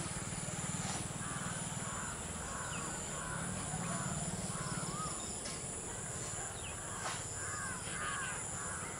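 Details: A pair of Rufous treepies on a dry Sheesham tree give a run of short arched whistled notes in rapid series, over a strong low rumble and high insect drone.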